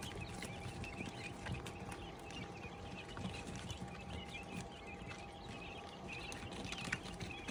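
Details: Quail chicks giving soft, high peeping chirps, short upslurred notes scattered irregularly through the clip, several birds overlapping, over a steady low hum and background rustling.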